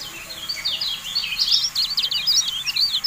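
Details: Javan white-eye recorded to rouse caged birds into singing. A continuous, chattering warble of high, jumbled, twisting notes grows louder midway and carries on to the end.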